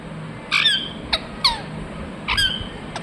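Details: Ringneck parrot chirping: a few harsh, harmonic notes that bend downward, a pair near the start and a pair near the end, with short sharp clicks between and a quiet background hum.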